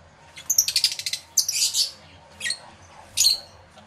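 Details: Lovebirds in an aviary, several of them, recorded live with two external microphones: sharp, high chattering chirps in a rapid burst, then a harsh squawk and two short shrill notes.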